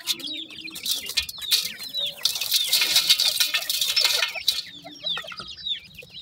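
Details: Young grey francolin chicks peeping continuously in short, high, slurred notes, partly drowned mid-way by a loud burst of rustling or flapping noise before the chirping resumes clearly.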